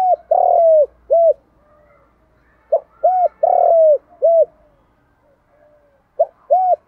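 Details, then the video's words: Spotted dove with a 'đồng thổ' voice, called to spur fighting and lure wild doves, repeats its low mellow four-note phrase about every three seconds. Each phrase holds a clipped note, a rounded coo, a long falling coo and a final coo. "cu gáy giọng đồng thổ thúc đấu + Gáy gọi chuẩn để kích bổi nhanh về"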